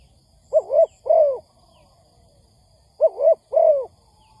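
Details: Spotted dove call recorded as a lure for trapping: two widely spaced pairs of low, soft coos, the second note of each pair longer and sliding down, with faint high chirps early on.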